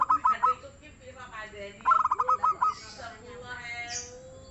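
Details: Local zebra dove, singing energetically, gives stuttered coo notes in a short burst and then a fuller rolling phrase of rapid notes ending in held tones, overlapped by other bird chirps and whistles.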